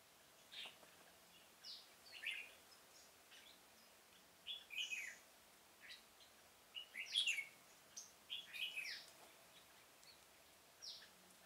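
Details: Red-whiskered bulbul singing as a lure for trapping wild birds in a pomelo garden, October 2017; scattered short whistled phrases and chirps across the clip, denser near the middle, background otherwise quiet.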